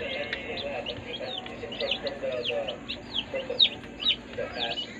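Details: Healthy day-old baby chicks in a brooder: many overlapping high, downward-sliding peeps, repeated quickly and unevenly at around two per second, over a steady low background hum.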